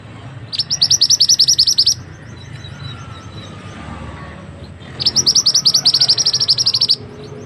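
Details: Mantenan bird singing as a tutor for other birds: two loud bursts of fast, high, ringing chirps, each around one and a half to two seconds long, separated by a three-second gap of low hiss.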